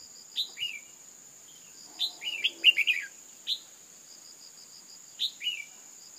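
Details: Female red-whiskered bulbul calling to rouse males, giving sharp falling two-note chirps, a lone pair at the start, then a rapid run of four or five notes, more pairs later; constant high-pitched insect drone and cricket pulses behind.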